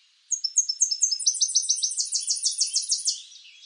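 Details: Tennessee warbler of eastern North America singing: a series of high, sharp, staccato chips that begin spaced out and speed up through the phrase, ending in a rapid, dry trill, with no other sounds.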